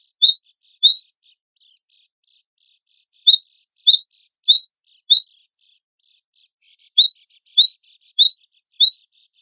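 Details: Cinereous tit, wingko variety, in a songbird-contest tutor recording, delivering three bursts of rapid, high, squeaky sweeping notes. Each burst lasts a second or two, with quiet gaps between.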